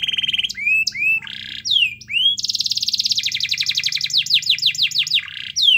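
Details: Lively canary song used as a lure to get a quiet canary singing: sweeping upslurred whistles, then fast buzzy trills and rapid repeated rising notes, loud and continuous with brief pauses.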